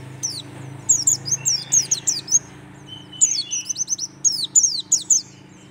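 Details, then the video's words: A white-eye of the Merapi pleci type sings rapid bursts of high, thin, twittering notes that swoop up and down, delivered in quick volleys with short pauses, over a faint low hum. "pleci dakun merapi tembakan syahdu"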